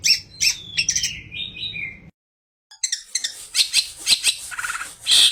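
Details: Long-tailed shrike singing a rich repertoire packed with imitated phrases, including fighting-sparrow notes, used to make other shrikes sing: shrill descending whistles, a brief silence, then rapid harsh high chatter and clicks.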